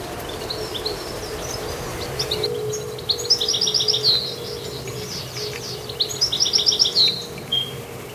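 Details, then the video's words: Goldfinch singing two matching phrases about three seconds apart, each a quick run of evenly repeated high chirps ending in a downslurred note, with a low background hum. "Goldfinch Activity with beautiful Chirping"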